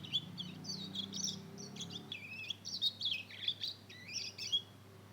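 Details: Juvenile Mozambique canary crossed with canary, aged two months, warbling as it learns to sing: a rambling string of twittering, slurred high notes rising and falling, with a quiet hum behind.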